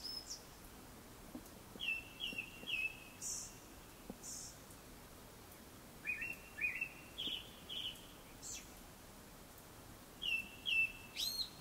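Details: In the hour before sunset, a Japanese thrush repeats short phrases of clear whistled notes, three phrases separated by pauses of a few seconds.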